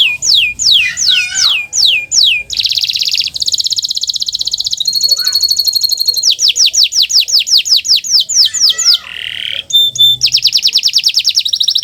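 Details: Kenari Nusantara canary song from a master track for stimulating non-singing canaries: loud runs of descending whistled notes alternating with rapid buzzy rolls and a short nasal phrase, delivered continuously without pause.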